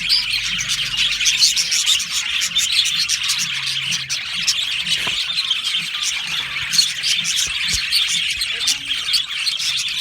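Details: Aviary flock of budgies from Australia keeps up a steady wash of high, busy chirping and twittering from many birds together, with a faint low hum underneath.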